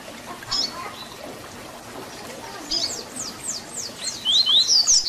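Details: Tui Tui Zel Zel fibra song from a double-collared seedeater, a style for teaching young birds. After quiet opening notes, rapid steep downslurs build into loud, fast rising whistled phrases at the close.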